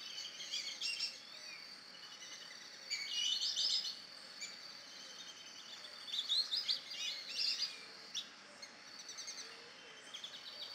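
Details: Amazon kingfisher, a young male, sings from lakeside vegetation in an ecological park in Campinas, Brazil: bursts of rapid, high, rattling chirps separated by pauses, over soft lower whistles from a flock of black-bellied whistling ducks.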